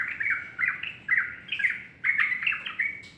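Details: Morning song of a sooty-headed bulbul: loud, slurred, bubbling whistled notes in quick groups of two or three, repeated about every half second with brief gaps.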